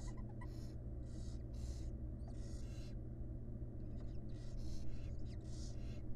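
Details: Young barn owls coming to eat, begging: harsh, breathy hissing screeches in bursts about half a second to a second apart, some longer and drawn out, over a steady low mechanical hum.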